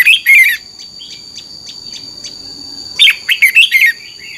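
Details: Red-whiskered bulbul singing for caged-bird training: a brief whistled phrase, then soft scattered chirps, then a fuller phrase of five bright, falling and rising whistles, backed by a continuous high electronic-sounding tone.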